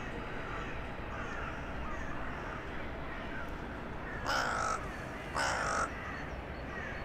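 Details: Town-centre crow on an evening in January 2021, calling to other crows flying in for the night: two harsh, buzzy caws about a second apart, rising from a steady low urban rumble.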